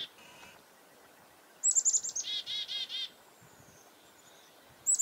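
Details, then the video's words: A chickadee warns of a goshawk close by, recorded February 2021 at Reedfly Farm; one call of high sharp chips followed by about four fast, buzzy dee notes, then quiet with a faint high whistle. "Chickadee Alarm Calls due to nearby Goshawk"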